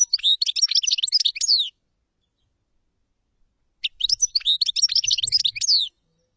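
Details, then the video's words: Two matching phrases of common chaffinch song, each a quick string of high notes about two seconds long ending in a falling sweep, with a long quiet gap between them. "تغريد تبلاط"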